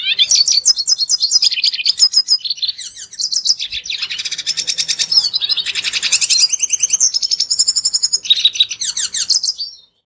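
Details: Red siskin song played as a lure to make other birds sing: a long, unbroken stream of high buzzy twitters, fast rattling trills and thin whistled notes before stopping near the end.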